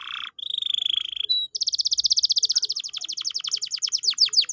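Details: Canary lure song for a canary that has stopped singing: a short buzzy note, a steady whistled trill, then a long rapid rattling trill that gradually opens into separate falling whistled notes.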